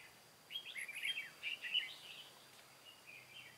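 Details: Decoy red-whiskered bulbul from Cao Phong set out in a trap for wild birds on 23 August 2018, giving a lively run of bright, bubbling chirped notes for about two seconds, then softer trailing phrases, with steady low hiss.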